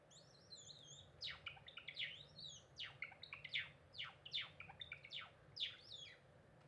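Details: A cinnamon Java sparrow sings indoors on 2 April 2021, a quick run of high, bell-like clicks and sharp downward-swept chirps mixed with thin twittering notes, against a quiet hum.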